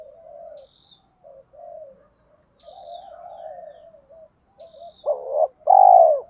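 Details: Soft, low, wavering coos run through most of the recording, then a spotted dove gives one loud phrase near the end, two short rising notes and a long, slightly falling coo, calling wild doves in; faint high chirps.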